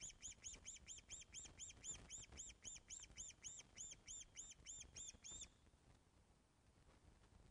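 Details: Osprey calling at its Loch of the Lowes nest on 24 August 2012, 14.10, as fish is delivered, caught by webcam: a long insistent string of about twenty piping, arched whistles, roughly four a second, stopping abruptly.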